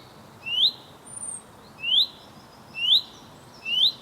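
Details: A male chaffinch calls to his mate with a series of clear upslurred whistles, each rising sharply, repeated a little under once per second, plus a thin high whistle from another bird.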